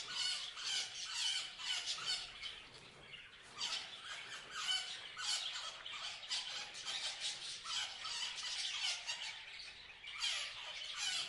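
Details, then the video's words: Parrots keep up a steady, dense stream of raspy, high chirps and squawks, many birds calling at once with hardly a break. "Parrots Chirping Sound"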